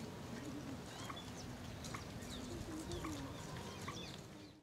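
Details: White-breasted Waterhen (Amaurornis p. phoenicurus), Keoladeo Ghana NP, India, November 2023: low, hollow repeated notes about once a second, with thin high chirps from other birds and steady background hiss.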